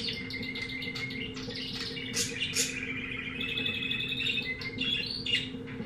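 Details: Pet canary bought from a pet shop, type unknown, singing indoors: dense, varied high twittering with buzzy trills and sharp rising notes, continuous throughout, over a steady low electrical hum.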